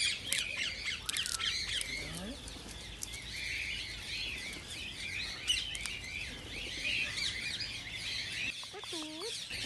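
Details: Green ring-necked parakeets, played to stimulate singing and mating, in a busy chorus of overlapping high chirps and squeaky twitters, fairly quiet, with a few lower curved squawk-like notes near the end.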